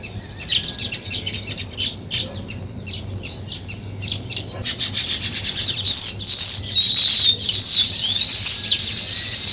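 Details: Weaver birds building a nest, a group chirping: dense high twittering and chattering that swells louder after about five seconds into a continuous chorus of overlapping chirps, with a low background hum.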